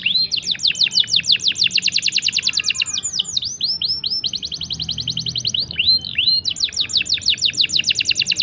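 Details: Long trilling canary song for teaching young canaries or prompting stalled singers to sing: steady runs of rapid high sweeping notes, about three per second, broken by brief dipping swoops before resuming.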